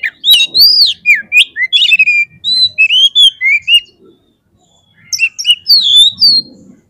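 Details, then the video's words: Lure recording meant to stir rival magpie-robins into fighting display: a bright, fast, varied song of looping whistles, sharp upslurs and scratchy notes delivered in a dense stream, then a short gap and a fresh burst of twisting whistles. "SEKALI PLAY KACER KALIAN PASTI LANGSUNG NGOBRA !!! KEPANCING EMOSINYA FULL FIGHTER"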